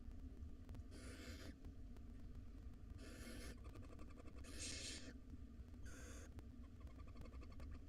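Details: Five wild barn owl nestlings beg at dinner time in their nest box: four rasping hiss-screeches, irregularly spaced over eight seconds, against a low droning background with clicks.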